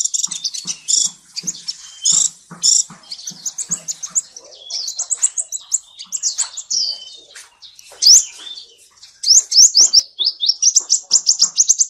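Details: Seven-colour sunbird song in a clean recording: dense high twittering and chips, with occasional soft low ticks, ending in fast runs of rising sharp notes.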